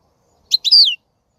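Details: European goldfinch: one brief high chirp, then a longer liquid note that slides downward, lasting under half a second.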